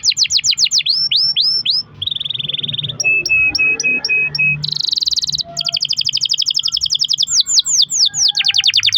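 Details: Canary singing a long rolling song used to prompt other canaries to sing: rapid repeated downward whistled sweeps, a buzzy steady trill, evenly spaced clear notes over a lower tone, a dense buzzy burst, then fast rattling rolls and more sweeps.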